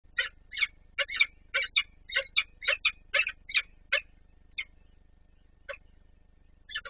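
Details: Peregrine falcons at the Palace of Culture and Science in Warsaw on 26 April 2024, one adult feeding another. A run of harsh, rasping chattering notes comes about two or three per second, then slows into a few spaced calls.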